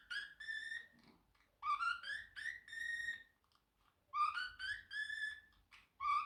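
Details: A pet Pacific parrotlet indoors gives harmonic, squeaky whistled notes in bursts, some rising, some held, with short pauses between phrases, as part of its singing, talking and whistling; otherwise quiet.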